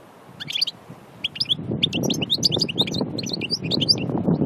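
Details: Wild European goldfinch from Aïn Barbar, Annaba, singing a rapid, high twittering run of short, sharp notes in bursts, over a steady low rumble of background noise.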